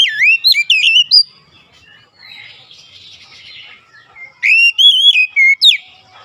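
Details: Oriental magpie-robin singing as a lure for other magpie-robins: bright, slurred whistles with strong overtones in two bursts, the first opening the recording and the second near the end, with a softer buzzy chatter between them.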